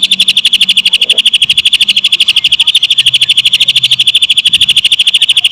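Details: Lovebird song mimicked by a greater green leafbird in close, rapid bursts: an unbroken, shrill, machine-gun trill of evenly repeated high notes, with a soft low hum in the background.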